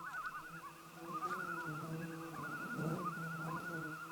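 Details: A loon, identified by viewers as probably a Common Loon, calls in remote wilderness: a long, wavering, quavering cry that rises and dips steadily, over a low continuous hum.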